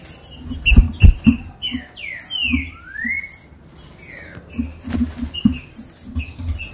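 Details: Green-winged saltator singing, a warm-up song for captive birds: rich slurred whistles, one long falling note followed by a long rising one, set among frequent dull knocks and sharp high chips.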